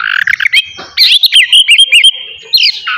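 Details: Brief burst of Oriental magpie-robin ngeplong song, part of a morning lure for other magpie-robins. A rough chatter gives way to a run of short, evenly spaced whistled notes and a final rising phrase.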